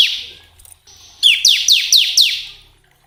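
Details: Bar-winged prinia song used to stimulate caged birds to sing: a short high note, then a steady tone, then a fast series of five bright downslurred chips about every quarter second.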